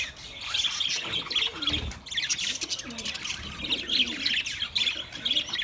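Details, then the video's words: Many budgies chirp and chatter continuously, with rapid trilled twitters, scratchy squawks, and quiet low warbling phrases in the background. "Budgies chirping sounds for lonely bird"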